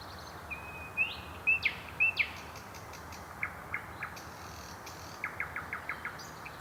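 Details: Common nightingale singing in the evening or night in Mytishchi, Moscow region, near the MKAD ring road, taped on an old Sony DCR-DVD508E camcorder: long pure whistles, then a series of short dry clicking notes, over broad background hiss.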